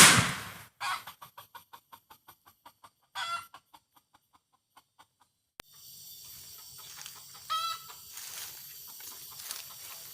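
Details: Red junglefowl in forest during a hunt; a rapid series of short clucks that slow and fade, one louder call in the middle, then more noisy background with a single bright harmonic call later.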